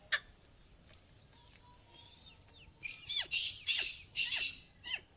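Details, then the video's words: Female black francolin calling: a run of harsh notes, each sweeping steeply down from high to lower pitch, given about twice a second over three seconds, with faint thin whistles and low rumbling background noise before. "Madia Kala Teetar Kali Madi Ki Awaz | black francolin female voice | کالی مادی کی آواز"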